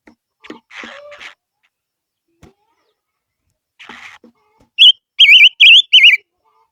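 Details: Rustling and soft knocks first, then a silver-eared mesia's lure song: four clear, looping whistles that twist up and down in quick, even succession.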